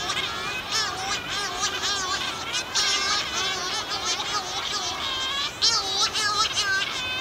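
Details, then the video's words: Loud nocturnal chorus of Cory's shearwaters at a dense breeding colony on Pico Island, 2019. Paired birds come in from fishing at sea to take over incubating the single egg. Females give lower drone-like calls, males higher plaintive ones. Dense, warbling, up-and-down calls overlap continuously. "call of CORY'S SHEARWATER"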